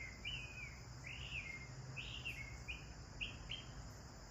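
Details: Sparrows chirping while bathing: a run of bright, quick chirps, some rising then falling, repeated several times a second in loose bursts, over a steady high hiss and low background rumble.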